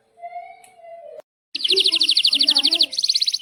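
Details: Caged canary in breeding condition singing a long roll: a few level whistled notes, a brief pause, then a rapid, regular trill of high, sharp chirps repeated many times, continuing after a short break.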